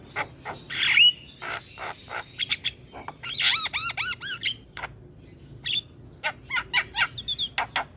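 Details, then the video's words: Javan myna singing hard with head bobbing: harsh rasping notes, then a rapid series of arched, bouncing whistled notes, followed by scattered sharp clicks and squeaks. "Burung Jalak Kebo Gacor Full Manggut Manggut"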